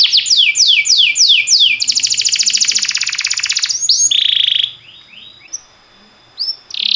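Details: Timbrado canary singing for training other canaries: descending whistled sweeps repeated quickly, a long rapid rattling trill, then steady high tones and short rising notes after a brief pause.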